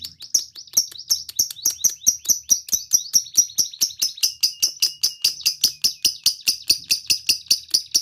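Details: Lovebird in energetic full song for prompting other lovebirds to sing, a steady run of high sharp chirps, roughly two or three each second, bright and chattering.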